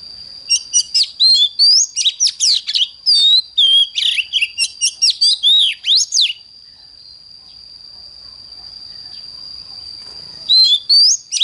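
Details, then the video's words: ['Oriental magpie-robin morning song used to train birds to sing fired-up: quick run of varied whistled, slurred and chattering phrases for about six seconds, a pause, then more notes near the end, over a steady high electronic-like tone.'] "Chích choè than hót sáng || Luyện choè than HÓT CĂNG LỬA"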